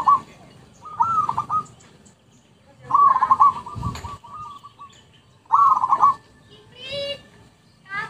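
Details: Zebra dove lure recording: bursts of rapid, trilled cooing notes around one pitch, each phrase about a second long and repeated every two to three seconds, with a brief harsher call from another bird near the end.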